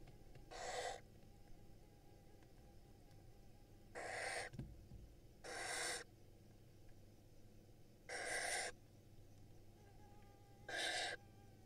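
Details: Barn owl chicks in Israel, lined up in the nest while their mother feeds them, hatched in May 2022; five harsh, noisy hissing screeches at irregular intervals, each under a second, with a soft thump and low hum between.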